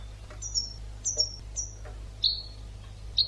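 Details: European goldfinch on a training recording: a few thin, very high whistled notes, then lower liquid notes, spaced widely apart against quiet background noise.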